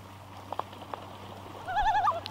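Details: Common loon on a pond during a clash with an intruding rogue loon that the mated pair chase from their territory; a loud, rapidly wavering, yodel-like tone rises at the end after scattered knocks and splashes.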